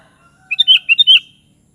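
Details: Sooty-headed bulbul phrase of quick, rich slurred whistles in a tumbling sequence, with soft, thin, sustained whistles from another bird just before it.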